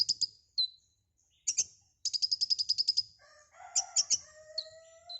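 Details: White-rumped shama singing a full, varied song of short whistles and fast pulsed high trills. Toward the end, a lower drawn-out crowing call from another bird overlaps.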